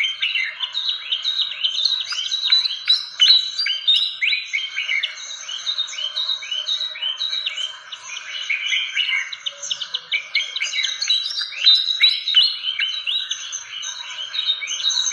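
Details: Fantail call used as a lure to draw birds in, a long busy stream of rapid high chirps and sweeping notes, crowded and irregular, with short pauses around eight and ten seconds.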